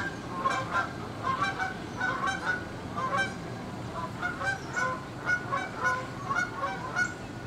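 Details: Six Canada geese flying in formation along the St Johns River toward downtown Jacksonville, Florida, at sunrise, 7:33am on 13 October 2015, honk loudly, nasal two-part honks overlapping several times a second, with a soft background hum.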